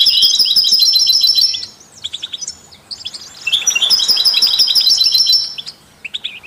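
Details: European goldfinch song, offered alongside canaries and mules to stimulate other songbirds: fast, bright twittering with rapid trilled runs and buzzy notes, two loud bursts split by a quieter pause.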